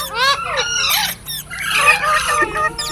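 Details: Green parrots give a quick run of curved, whistly squawks, then a rougher, noisier stretch of overlapping calls.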